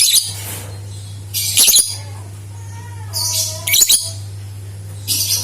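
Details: Lovebird singing to prompt other lovebirds into song: short bursts of harsh, noisy high chattering about every two seconds, with faint thin whistles between them and a steady low hum behind.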